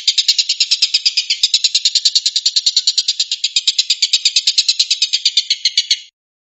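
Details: Long-tailed shrike giving a 'tembakan' (shooting) style chatter: a harsh, buzzy burst of pulses repeated very evenly, about seven per second, held for six seconds before stopping abruptly. There are no other sounds.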